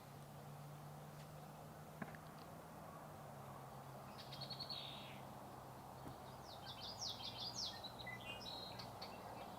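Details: Two Black-capped Chickadees at Sargeant Bay Provincial Park, British Columbia, on a warm, sunny early-May morning give thin, high buzzy notes, a brief burst then a quick, jumbled run of sharp calls, over a steady low hum.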